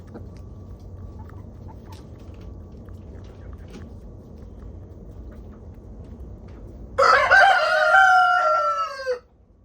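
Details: Homestead chickens enjoying a 20-degree warmup to 37 degrees; after about seven seconds of low background rumble, a rooster gives one loud harmonic crow lasting roughly two seconds, ending abruptly.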